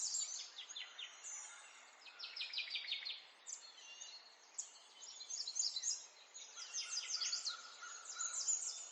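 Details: Sparrows in the morning: bursts of high, thin chirps and short trills come in clusters, several birds overlapping, with steady background noise between phrases.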